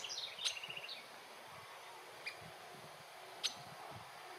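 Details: A female Little Woodpecker (Veniliornis passerinus taenionotus) in Teresina, Brazil, on 7 January 2026, gives a quick, high chattering run of about eight notes, then two sharp single 'kik' notes over faint steady hiss.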